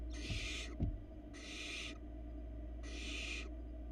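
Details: Three long, rough hissing screeches from barn owl nestlings being fed by the female in a Florida nest cam, each about 0.7 seconds with brief gaps, a soft knock near the start, steady background hum.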